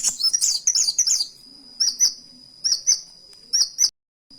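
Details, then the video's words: Kolibri wulung imitating canary: a dense twittering phrase, then short paired chirps with dropping slurred notes repeated about every second, over a thin continuous whistle. "Burung KOWUL Kolibri Wulung Gacor TEMBAKAN KENARI || CHIRPING SOUND"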